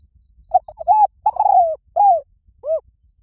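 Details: Spotted dove decoy call for attracting doves. A mellow coo sequence starts with short stuttered notes and swells into long arching coos. The last of the closing pair of rounded notes is slightly softer.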